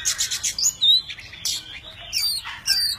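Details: Oriental magpie-robin, tame, singing in many voices while dancing with wings and tail fanned; quick scratchy bursts and a high whistle, short pauses, then further bright chattering phrases.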